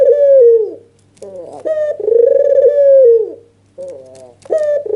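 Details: Excited nodding call of a red-eyed white albino dove, used to entice other doves to call: rolling, buzzy coos fading at the ends, with brief quieter notes and abrupt starts between them, and a faint hum.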